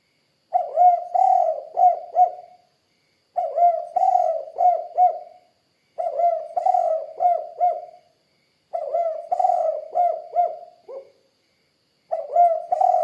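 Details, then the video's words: Spotted dove (tekukur) singing vigorously in the 'kuk 2' style: five mellow, low cooing phrases about three seconds apart, each a soft lead-in followed by a longer rolling coo and two to three clipped notes. The background is quiet. "Suara Burung Tekukur Kuk 2 Gacor"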